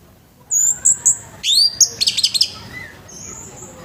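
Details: Orange-headed thrush calling loudly in the morning, a harsh sound used to spur other orange-headed thrushes to sing. Thin very high whistles lead into a buzzy rising sweep and a short crackling rattle, then a fading high note.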